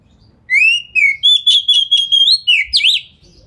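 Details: White-rumped shama (kacer) singing a lure phrase to make other shamas reply; upslurred whistle, a string of quick same-pitch pulses, then a steep swooping flourish.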